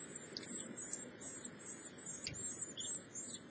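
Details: Carolina wren nestlings beg during an early-morning feeding with very high, thin, squeaky chittering in quick uneven bursts, over a soft low background rumble.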